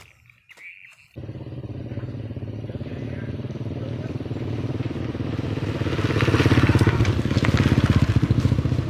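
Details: Motorcycle engine rumbling and revving louder toward the end, with people talking outdoors; no animal voice.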